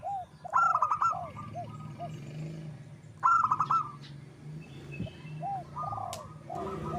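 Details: Wild local zebra dove singing, a sound meant as a lure: two bursts of rapid rolling coos with a buzzy, stuttering quality, separated by a pause. Softer, lower curved coos and a low background hum run beneath.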